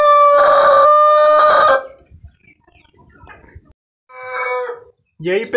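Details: A nervous, jumpy rooster, ranked first as its keeper's most beautiful singer, delivers a loud, sustained crow of under two seconds, followed by a shorter second crow and the start of another.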